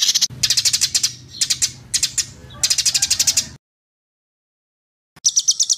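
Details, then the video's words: Agitated white-rumped shama song in short bursts of sharp, high chattering notes over a low hum, then a long silence and a final quick high phrase. "MASTERAN MURAI BATU GACOR ! LANGSUNG NYEMPLONG & EMOSI !!!"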